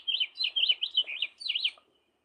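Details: Wild house finch song: a quick, very high-pitched, jumbled warble of slurred chirps lasting about two seconds before ending abruptly.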